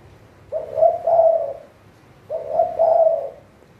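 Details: Spotted dove kept as a left-hand decoy bird for trapping, giving two mellow, low cooing phrases about two seconds apart, each a soft rising note followed by a longer, throaty two-part coo; quiet background.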